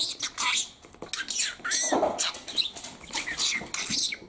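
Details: Indoors, a male pet parakeet chatters with fast, hissy, speech-like syllables, a brief curved whistle, and a lower warbling sound, all in busy, overlapping phrases.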